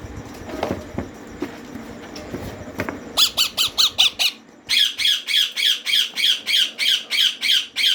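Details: Begging rose-ringed parakeet chicks at feeding time give insistent, rasping squawks repeated in an even rhythm of about two per second, over a dozen in a row, after a stretch of rustling and handling sounds.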